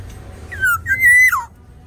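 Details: Close, loud whistled phrase from a tame, actively singing Sumbawa Black-naped Oriole: a gliding downslurred note, a brief break, then a long pure level whistle that sweeps sharply downward at the end.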